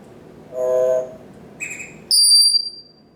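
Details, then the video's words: Pet parrot on its kitchen stand during its morning routine, making a low buzzy rasping sound, then a short mid-pitched beep and a piercing high electronic-like beep. "Larry The Parrot whistling, beeping, and making fart noises."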